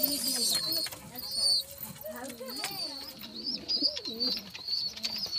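Pigeons give low, throaty, wavering coos that rise and fall in quick runs, over thin high chirps from other birds.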